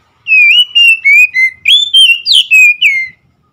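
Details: Oriental magpie-robin song: an unbroken run of about eight loud, clear whistled notes. Each note slides in pitch, one swoops upward near the middle, and the phrase ends on a falling whistle. No other sounds are heard.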